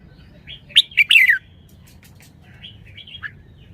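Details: Red-whiskered bulbul singing: a quick burst of loud, clear whistled notes sliding downward, then softer warbled phrases after a pause; quiet background.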